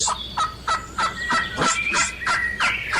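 A turkey gobbles in a fast, rattling string of throaty bursts, about three per second, with a few higher, thinner notes woven through.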